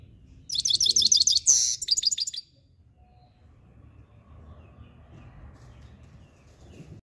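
Himalayan goldfinch singing a brief burst of rapid, high, tinkling twitters lasting about two seconds, then near silence with a faint low hum.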